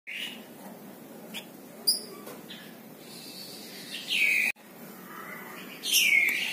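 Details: Tame plain prinia, locally called flamboyan, wergan jawa or mlinjon, a small brown bird whose typical chattering call is used to tutor other songbirds; a few short chirps, then two loud downward-curving notes about two seconds apart over a faint background hiss.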